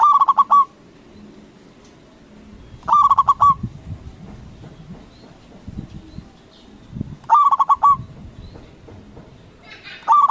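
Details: A loud local zebra dove calls to make rival doves respond. Short bursts of rapid, bubbling coos come about every two to three seconds, four bursts in all, with some low rumbling background noise.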